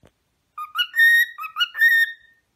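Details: A cockatiel, likely male since singing suggests a male, sings a short run of clear, warbling whistles rising and falling in quick phrases; such singing is used to impress or shows good mood.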